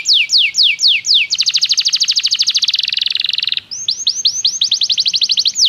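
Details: Belgian canary song used for training: fast descending whistled sweeps, then a dense buzzy trill lasting over two seconds, followed by rapid rising whistled notes repeated several times a second.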